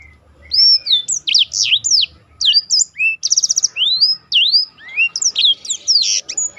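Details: Roll-style song of a black-throated canary, a tutor recording for contest birds: continuous high warbling of looping, swooping notes with a short fast rattling trill near the middle, faint low rumble at the start.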